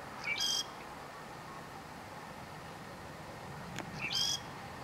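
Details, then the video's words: In north Lanzarote during October 2018, a southern grey shrike gives two phrases about four seconds apart, each a brief rising whistle leading into a rasping, buzzy high-pitched note, with a faint click between them. "(Southern Grey) Shrike song"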